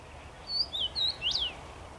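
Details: A common rosefinch sings from a tree, 23 May 2021: four pure whistled notes in about one second, dipping and rising, ending with a louder upswept-then-falling note; soft hum behind.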